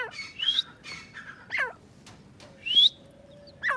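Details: Grey francolin calls: rising whistled notes mixed with harsher, descending, nasal notes in an irregular sequence. A faint steady tone and low background noise are also heard.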